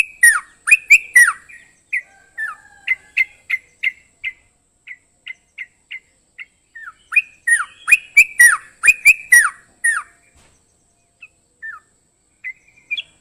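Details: Sooty-headed bulbul alternating bursts of loud, slurred, rising and falling notes with a calmer passage of short, regularly spaced chirps, ending in a few sparse, faint notes after a pause.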